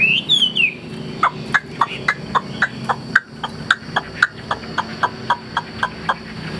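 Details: Caged Hwamei, the tame bird on the right said to sing well, opens with a looping whistle, then repeats short sharp clipped notes about three to four per second throughout, over a steady hum.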